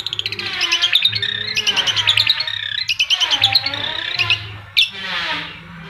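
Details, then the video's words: Long-tailed shrike keeps singing through engine noise, giving quick bursts of sharp, buzzy trilled notes broken by rushing, sweeping mechanical sounds and a steady low hum. "Cendet Mental Baja bising dengan Suara Mesin tetap Nembak"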